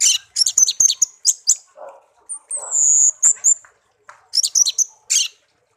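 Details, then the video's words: Pet songbird raised from a chick found in a garden, kept for one year and tame. Dense high chirping bursts surround a sustained piercing whistle, with softer lower blurred sounds between phrases. "burung kicau peliharaan"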